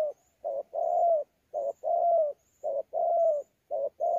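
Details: Spotted dove from Sa Thầy, wild-caught and recorded 26 November 2019, cooing well: four double coos, a quick note then a sustained rolling coo, about once a second, with faint high ticking notes above.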